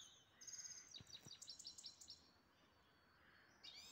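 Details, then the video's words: Grey-headed goldfinch kept as a pet in Istaravshan, giving a rapid run of high, tinkling twittering notes that fades into a soft buzzy note. A steady background hiss runs throughout. "Мой седоголовый щегол"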